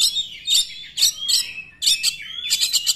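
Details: Oriental magpie-robin song aimed at provoking other magpie-robins to sing; short buzzy phrases repeated about every half second, joined by rising whistles and ending in a rapid pulsed series.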